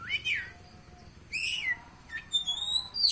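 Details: Oriental magpie-robin singing: separate clear whistled phrases, one swooping down, another sliding and falling, then a higher sweet rising whistle, each about half a second with short pauses between, over a quiet background.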